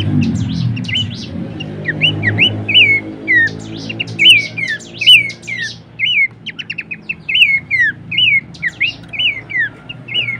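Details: Horsfield's babbler, used for tutoring and luring songbirds: a steady chain of short falling whistles and chips, roughly three per second, over a low droning hum that fades after the opening seconds.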